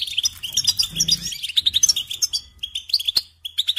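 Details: European goldfinch song of a bird in care: fast jingling twitter of high tinkling notes and brief nasal buzzes, continuous at first, then breaking into short separate chirps with a sharp click near the end.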